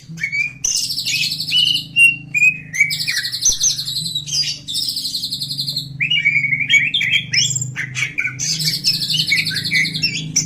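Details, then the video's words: Greater green leafbird song played as a lure to prompt other birds to sing: dense bursts of buzzy, chattering high notes and sweeping whistles, with a steady low hum underneath. "PANCING BURUNG CAK HIJAU CEPAT BUNYI!!"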